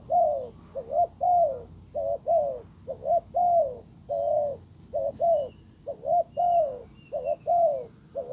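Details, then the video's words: Spotted dove decoy calling to pull in a wild bird that ignores it; a steady stream of low hollow coos, short doubled notes and longer falling ones about every second, with brief high chirps and a steady whine. "Cuckoo Bird : Mồi rút bổi về, Bổi làm lơ đi luôn"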